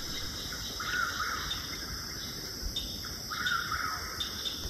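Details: A Chuck-will's-widow in Apalachicola National Forest, Florida, just after a prescribed burn and the first singing of the year, gives two rolling, whistled phrases about 2.5 seconds apart over a steady high buzzing chorus of insects.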